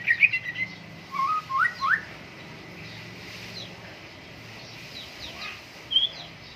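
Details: White-rumped shama kept by a hobbyist, set out for morning dew airing; a few clear whistled phrases with rising, stepping notes in the first two seconds, a lull, then one short high whistle near the end over steady background hiss.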